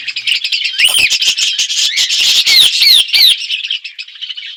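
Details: Close, loud budgerigar chatter in an outdoor aviary within a forest environment while the birds eat seeds: rapid squeaky warbles, quick rising and falling chirps packed tightly together, tailing off at the end.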